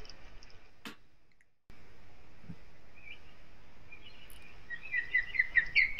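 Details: An osprey (Pandion haliaetus) at its nest in Kurzeme, Latvia, on 23 April, with wind, rain and sleet shaking the nest, gives a quickening run of high whistled cheeping notes growing louder, after a quiet start with one click.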